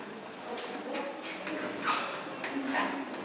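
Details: Bearded barbet at Zurich Zoo, Switzerland, on 9 January 2014, pecking a hole in wood with dull, irregular taps, about four in three seconds, over a murmur of background noise and faint voices.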